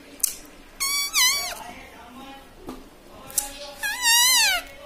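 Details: Pet parrot, described as a talking bird that says mummy, papa and radhe radhe, gives two loud, strained, wavering harmonic utterances about three seconds apart in a quiet room, with soft clicks between.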